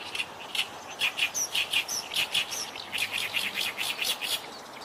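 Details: Oriental reed warbler singing from about 8 m, unafraid; a steady stream of loud, grating chirps and rasping syllables, several per second, continuing through the whole stretch.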